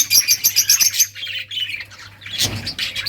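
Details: Several budgerigars at play give dense, high chirps and warbles, a quick run of bright notes at first, then softer chatter with a steady low hum beneath.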